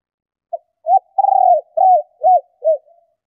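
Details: Cooing of a female spotted dove meant to excite males: a soft short note, an arched coo, a long vibrating purr, then three rounded coos about every half second, with no other sounds.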